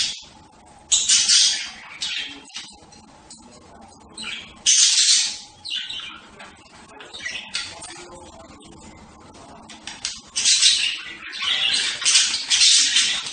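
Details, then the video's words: Budgerigar calls: harsh, broadband chattering bursts come in loud clusters near the start, middle and end, with softer scratchy twittering between them. "صوت طيور هند(البادجي)"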